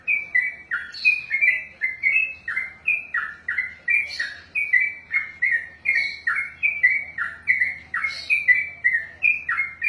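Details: Ten seconds of ropel from a caged sooty-headed bulbul trained for contests: about thirty loud, gurgling chirps chained tightly together, each a quick down-and-up slur, with faint low hum underneath.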